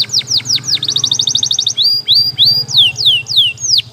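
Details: A canary sings a training song: a few sharp falling notes, an even rapid trill, then slow, clear whistled slides repeated about twice a second over a low background hum.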